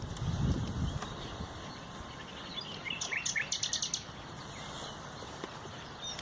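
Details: Common nightingale recorded on 30 April 2021, giving a rapid burst of repeated sharp high notes in a quick rattling series after a low thump, over steady background noise.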